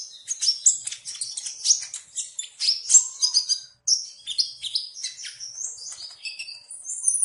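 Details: Sunbird singing a rapid, high-pitched jumble of thin twittering notes and short trills, with sharp sweeping chirps tumbling over one another and a brief pause before the sequence resumes.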